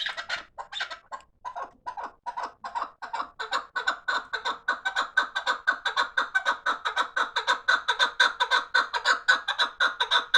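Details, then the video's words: A fighting chukar partridge begins with scattered uneven clucks, then settles into a long steady chattering of quick chuk notes at a regular beat. "Кабки ҷангӣ"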